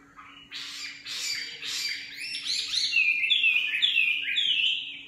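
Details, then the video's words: Loud nightingale phrase: harsh, rapid chattering notes build into a run of bright, sweeping whistles repeated several times, with a steady background hum. "Singing nightingale. amazing bird song"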